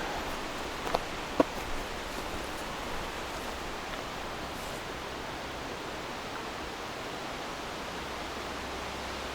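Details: A steady rushing hiss, like flowing water, fills the recording, with two sharp clicks early on and no animal sound.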